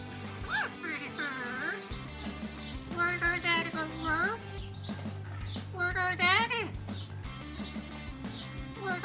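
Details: A talking Amazon parrot, a bird able to mimic humans and other animals, talks in short bursts of human-like speech, with rising and falling voiced phrases every few seconds over steady background music.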